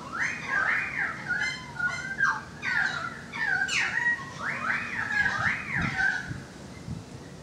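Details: Currawongs singing at a balcony, loud looping whistled notes rising and falling in quick succession, several phrases overlapping, with a faint low rumble in the background.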